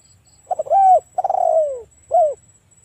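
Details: Rival-calling lure of a spotted dove: a couple of quick low notes lead into a long arched coo, then a pulsing coo that trails downward, ending with a short falling note. A faint constant hum is present.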